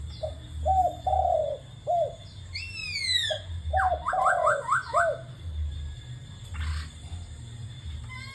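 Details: Spotted dove cooing with laughingthrush calls: low hooked coos and a longer falling coo repeated twice, mingled with rapid whistled laughingthrush phrases and a steady background hum.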